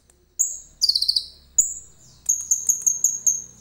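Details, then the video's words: Common iora, song loaded with cililin imitation, recorded on a phone: a sharp whistle, a quick rattled trill, another whistle, then a level series of bright pulsed notes over a soft low hum. "KONIN GACOR FULL ISIAN CILILIN JERNIH"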